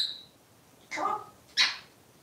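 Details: Pet parrot indoors playing with its plushie, starting with a thin high whistle, then two short, harsh voiced bursts about half a second apart in a quiet room.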